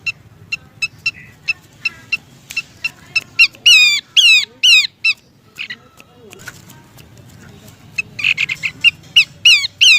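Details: Bush babbler (pelanduk semak) female calling the male, used as a lure sound: sharp high notes repeated at an irregular pace, then bursts of looping descending whistled phrases, with a background hum.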